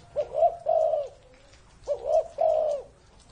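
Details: Spotted dove said to be over 30 years old, kept as an ornamental bird, giving two soft cooing phrases, each a short coo, a quick double note and a longer drawn-out hoarse coo, separated by a pause; quiet background.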